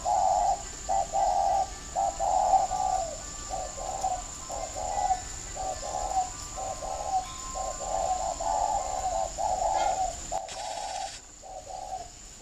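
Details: Decoy spotted dove from a bird garden in Ba Vì, Hanoi, used to lure wild doves: repeated mellow coos in short and drawn-out notes, steady and insistent for about ten seconds, then a brief rustle and a quieter coo, with a faint high hum throughout.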